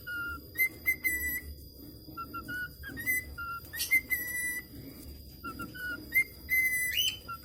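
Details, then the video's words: Budgerigar practising whistling: short level whistled notes and a few rising slides in uneven phrases, mixed with rapid chattering chirps and soft clicks. "BURUNG PARKIT AUSTRALIA BELAJAR SIULAN"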